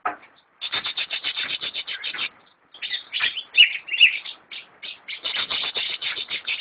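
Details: Rapid repeated chirping notes from a kept greater green leafbird (cucak ijo), in trains of quick even pulses separated by brief silences, with a louder warbled passage midway.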